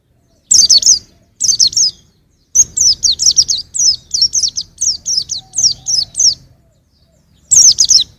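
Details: A young white-eye sings in 2021, giving short twittering bursts, then a long run of about fifteen high, rapid, down-slurred chirps before a final burst.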